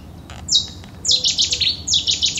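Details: Cetti's warbler (Cettia cetti cetti) in song at the Uitkerkse Polder, Belgium, April 2017: a single high note, then a sudden explosive burst of rapid, loud, repeated notes lasting over a second, over quiet low background rumble.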